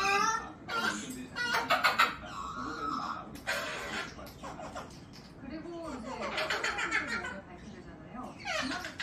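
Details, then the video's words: In the morning, a pet Eclectus parrot gives loud bursts of harsh, honking "kkung" calls mixed with chattering, speech-like babble. "뉴기니아앵무 아침부터 껑껑껑 소리대잔치"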